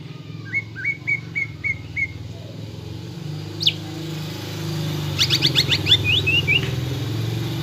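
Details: Greater green leafbird, caged, lure song to stir fighting mood: a row of six thin upslurred whistles, a gap, then a short scratchy burst and a few rising notes, with steady low rumble like traffic.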